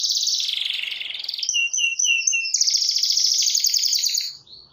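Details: Canary in full song, calling a rival: fast, high rolling trills that shift into a series of evenly repeated chirping notes, then a dense, bright chattering trill, ending abruptly.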